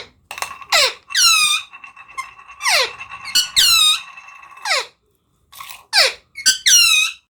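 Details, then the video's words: Talking parrot producing a run of loud, harmonic squeaks and downward-sweeping screeches, with a steady faint tone underneath, in bursts roughly every second with one brief pause midway. "Talking Parrot/Smart Talking Parrot"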